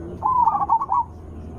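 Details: A single zebra dove phrase from a lure recording meant to make other zebra doves answer: a brief, loud, quavering coo with stuttered notes, slightly falling at the end.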